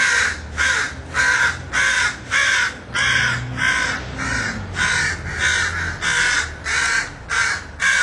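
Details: Street crows in West Hollywood give a fast, steady series of rough caws, roughly a dozen in eight seconds, each one short and grating with brief gaps between, over a constant low rumble.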